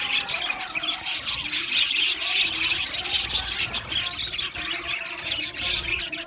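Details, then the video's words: Aviary of male budgies, recorded 8 December 2025, fills the air with continuous overlapping chirps, squeaks and warbling chatter from many birds at once, with no pauses. "Beautiful Male Budgies Sounds | Budgies chirping sounds"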